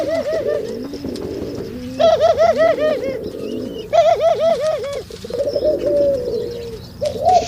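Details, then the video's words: Male pigeons cooing during mating: several birds give repeated rounded, throaty coos in bursts of rapid pulses around two and four seconds, then a longer drawn-out coo, with softer overlapping coos beneath. "Pigeon sounds when mating اصوات ذكور الحمام عند التزاوج"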